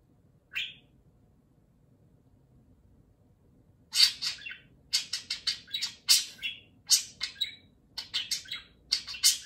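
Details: Pet budgerigar indoors, talking loudly while being groomed by a second budgerigar in an affectionate morning session; a lone chirp, then a rapid run of buzzy, scratchy high chirps and chattering notes.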